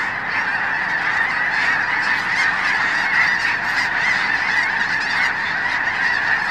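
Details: Massive flock of wintering Snow Geese at Blackwater National Wildlife Refuge, Eastern Shore of Maryland, before heading north to breed; countless honking calls blend into an unbroken, clamorous wall of sound.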